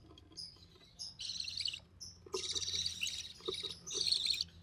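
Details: Budgerigar chick of the recessive pied variety, hatched early June 2020, being fed by its albino red-eye mother; a few thin chirps, then long harsh buzzy rasping bursts, three main outbursts over under five seconds.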